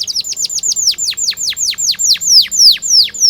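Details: Canary in long, continuous rolling song (ngerol), played as a lure to teach young canaries to sing: a rapid run of clear whistled notes, each sweeping sharply downward from high to mid pitch, about six per second, steady and unbroken.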